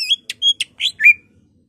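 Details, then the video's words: Greater green leafbird in emotional song with imitated fills from other songbirds; a brief burst of clear high whistles and sharp slurred notes, ending in a falling whistle. "BURUNG CUCAK IJO GACOR EMOSI NGENTROK BONGKAR ISIAN , Murai, Poksay, Cililin, Kapas tembak, Kenari"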